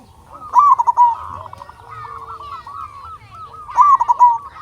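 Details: Zebra dove song from a local bird, used as a lure to make other doves sing: a bright trilled coo opens, steady softer cooing carries on, and a second loud bubbly phrase follows near the end.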